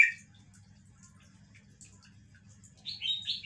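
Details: A caged, older red-whiskered bulbul showing off its song gives one short, bright note, then after a pause a quick, liquid, warbling phrase, over a faint low hum.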